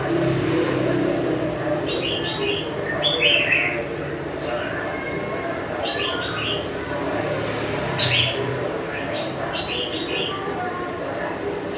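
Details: Red-whiskered bulbul kept in a cage for five months, singing short warbled phrases that repeat every second or two, each a cluster of bright chirpy notes, over steady low background hum.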